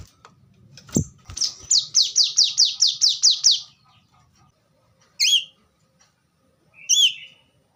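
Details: Kolibri kelapa, the plain-throated sunbird, delivering a short run of about ten sharp descending notes after a click, followed by two isolated high looping whistles.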